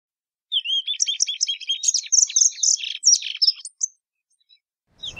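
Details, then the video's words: Plumbeous seedeater (Sporophila plumbea) sings a rapid, high run of varied whistles and twittering notes for about three seconds, ending with a few separate clear whistles. "PATATIVA VERDADEIRA"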